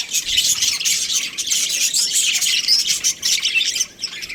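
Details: A breeding pair of budgies gives continuous high, buzzy twittering with rapid chirps layered over one another, easing off briefly near the end.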